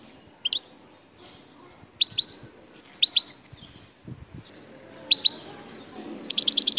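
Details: Algerian wild goldfinch in the El Tarf area near Bouthelja. Isolated sharp high chirps, some doubled, lead into a quick buzzy trill at the close. A quiet background hum and a few faint low knocks are also present.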